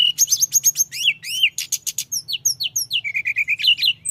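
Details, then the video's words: Vigorous rolling song of a mountain flowerpecker used to provoke rivals: a dense, rhythmic series of very high ticks and slurred whistles, then a quick chattering run of lower repeated notes, over faint hum. "Kicau gacor tledekan gunung ngeroll‼️Ampuh menaikkan emosi lawan"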